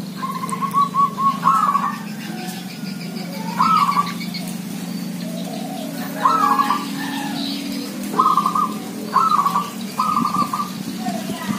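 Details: Lively chorus of village zebra doves: six short, bubbling trilled phrases, several ending in a brief rising flourish, repeated every second or two over a steady low hum.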